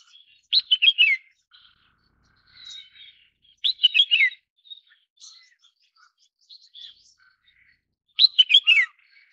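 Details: Red-whiskered bulbul (Pycnonotus jocosus), also called red-cheeked bulbul: short bright warbled phrases of four or five quick descending notes, given three times about every four seconds, with softer chirps between.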